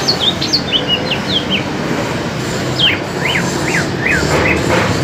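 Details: Duelling greater green leafbirds, an East Kalimantan bird against a spotted Alas Purwo bird from Banyuwangi. A string of sharp downslurred whistles opens, a pause follows, then a run of arched, rising-falling notes over a low rumbling background.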